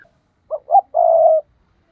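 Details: One phrase of the spotted dove's 'thúc' decoy call used for trapping: a short low note, a slightly rising second note, then a long even coo of about half a second, with silence around it.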